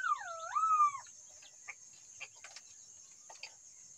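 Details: Green pigeon giving one wavering, fluty whistle lasting about a second. It dips low, rises, then falls again, followed by faint scattered clicks and a steady high hiss.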